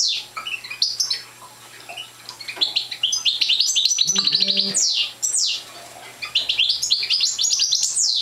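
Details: Young parva goldfinch, not yet singing fully, produces high chattering twitters, a harsh nasal rattling buzz near four seconds, and swooping descending slurs, in phrases split by short lulls; low hum throughout.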